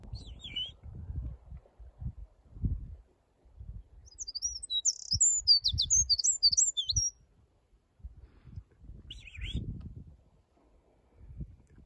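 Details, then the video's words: Bird singing: bright twittering phrases of short high chirps and quick slurred notes around 4 to 6 seconds, with brief chirps near the start and near 9 seconds, over low rumbling background noise. "Bird singing"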